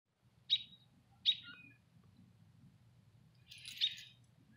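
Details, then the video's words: A bird chirping in a tree: short sharp high chirps, two spaced about a second apart, then a third, buzzier burst near the end, over a faint low hum. "Bird in tree chirping"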